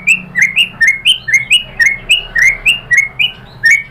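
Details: White-rumped shama song used as a lure to make other birds sing: a steady stream of short, loud, upward-flicking whistles, roughly four per second, clear and ringing.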